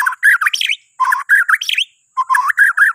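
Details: White-rumped shama from Borneo, a morning lure song for other birds: three bursts of rapid chattering, warbled notes, each about a second long and separated by brief silences.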